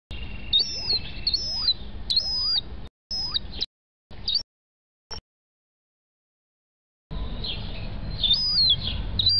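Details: Gull chick, about 30 days old, kept at home: high thin whistled peeps, each sliding downward, given in quick uneven runs with brief silent gaps between bursts; a steady low hum underneath.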